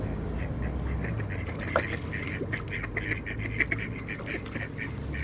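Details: A steady chorus of hungry village ducks quacking nonstop as they are fed on a cold evening in Flintshire, North Wales; short harsh quacks tumble one after another with constant low background noise.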